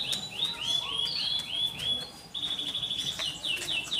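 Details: Canary song, quieter, with a series of rising whistled slurs followed by a steady trill and repeated falling notes over faint background hiss.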